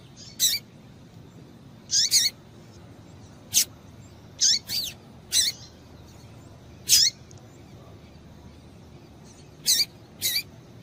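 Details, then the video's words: Calling female double-collared seedeater, used to get males singing: sharp high chip notes, often paired, some with a falling slur, repeated roughly every one to two seconds with gaps, over quiet background hiss. "Piado de Fêmea de Coleiro Para Esquentar Coleiro"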